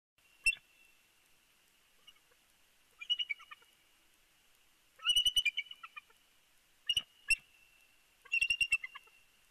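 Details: Bald eagle at its nest in early morning at Big Bear, picked up by a live nest camera: scattered bursts of high, thin chittering chirps in short clusters every couple of seconds over a steady faint high-pitched background tone.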